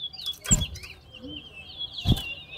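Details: Caged towa towa singing in a bird singing competition at Lamaha bird ground, two birds matched head to head: a thin, high, fast warbling line runs throughout, broken by two sharp low thumps.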